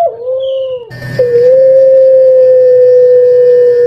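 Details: Puter pelung Barbary dove with a reportedly hoarse, fearsome voice. A short falling note comes first, then after a brief noisy break one long, steady, even-pitched coo held for about three seconds.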